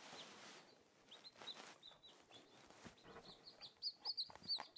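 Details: Newly hatched Silkie chicks, four in the brood, playing amid steady rustling and scuffling. Scattered soft high peeps come through, becoming sharper and louder in a quick series toward the end.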